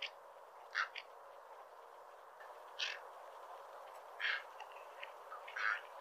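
Cattle egret giving short, harsh croaking notes, about five in six seconds at an uneven pace, over a steady low hiss.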